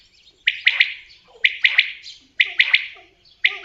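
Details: Common quail repeating its emphatic three-part call, a short note then a rapid pair, about once per second through four phrases, close and dominant.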